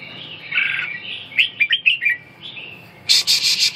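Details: Red-whiskered bulbul with a run of quick slurred whistles between softer buzzy notes, ending in a burst of loud rapid clicking.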